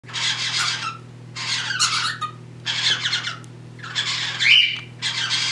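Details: Pet cockatiels mating while a third cockatiel tries to join give harsh, raspy screeches in bursts of under a second, repeated roughly every second.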